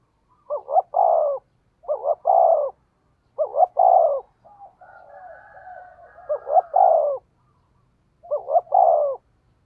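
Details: Spotted dove used as a decoy, cooing 'thúc gù' in its 'thổ' voice: steady phrases of two quick notes and a longer falling coo, about every second and a half, with a soft murmured passage midway.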